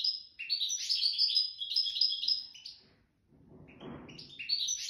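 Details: Wedani song of a wild nest-taken goldfinch: a long stream of rapid, high liquid twitters and buzzy notes, a short gap, then the twittering resumes.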